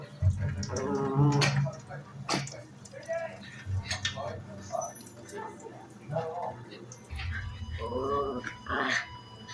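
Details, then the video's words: A lovebird mimics a puppy with short whimpering, yelping notes in bursts, while a person talks alongside. "Love bird making puppy sounds"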